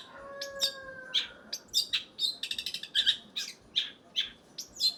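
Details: Long-tailed shrike of the type called blangkon: a fast, varied run of sharp high chirps and short buzzy notes, some clustered in rapid stutters, with a few low drawn tones at the start.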